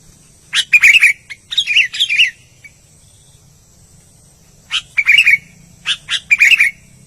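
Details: Albino sooty-headed bulbul in lively song, giving bursts of chattering, bubbly warbled phrases with sharp clicks between them, two clusters of activity, steady faint high whine behind.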